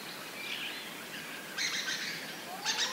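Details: Dusky thrushes, a large flock flying around, with scattered thin squeaky calls and two brief louder chattering bursts near the end over a steady background hiss.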